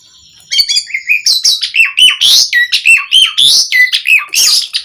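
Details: Asian pied starling singing nonstop, a lure meant to make other starlings reply quickly: a loud, dense, fast run of high whistles, slurred notes and harsh chattering bursts, several phrases a second after a quiet half-second start.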